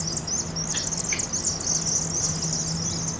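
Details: Thousands of migrating Vaux's swifts (7,000–7,500 counted that night) chitter in continuous high, buzzy twittering over a steady low mechanical hum while entering a roost chimney on the University of Oregon campus, Eugene, in fall, after a failed Cooper's hawk attack; played at 2.5x speed.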